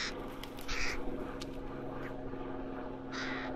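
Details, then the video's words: A young crow in Rosental, Leipzig, gives short, raspy, nasal caws, two close together near the start and another after a pause of about two seconds, with a low background hum throughout. "Junge Krähe im Leipziger Rosental / Young Crow in Leipzig Rosental"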